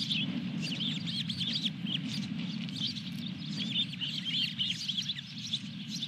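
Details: Osprey calling at the nest with a fish at Dunrovin Ranch, 23 June 2021. Thin whistled notes run in a dense, continuous chatter above a constant low droning hum.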